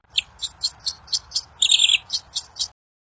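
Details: Wild kincir angin bird singing in the wild, a song said to make other birds answer quickly: about ten short high chirps at an even pace, with one longer buzzy trill midway.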